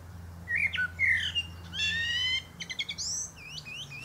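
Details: Common Blackbird (Turdus merula) male singing on a pear tree top: a couple of warbled whistles, a buzzy harmonic-rich note, rapid clicking stutters, then high looping squeaks, over a low hum.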